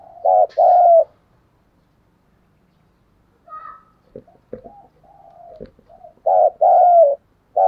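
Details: Spotted dove used as a decoy to attract wild doves: loud low coo pairs at the start and end, with soft murmured coos and a few sharp knocking clicks in between.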